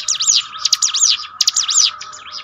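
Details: Bar-winged prinia song played to lift the spirit of a demoralised bird: high zigzag whistled sweeps in quick phrases over a steady lower humming tone.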